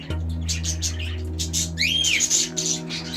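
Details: A pet parrot in a breeding aviary, where pairs are nesting, gives quick harsh chirps and one bright whistle that rises and falls, over a steady low hum and background music.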